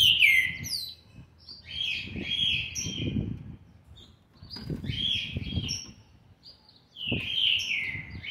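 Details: Green-winged saltator fledgling of seven months and twenty days, recorded 13 November 2020, repeats a strong whistled phrase of slurred, dropping notes about every two to three seconds over low rustling background noise.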